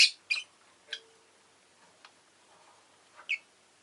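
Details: Pet rosy-faced lovebird giving sharp, scratchy chirps, two close together at the start, then softer clicks and one final louder chirp, over low background hiss.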